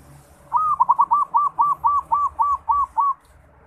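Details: Local Bali zebra dove, a bird still learning to sing, gives a quick run of about ten short, hollow coos. The notes are evenly spaced and fall over roughly two and a half seconds against a quiet background.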